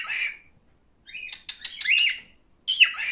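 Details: Male cockatiel giving a harsh call, a brief pause, then a jumble of chattering notes and a final bent, squawking call.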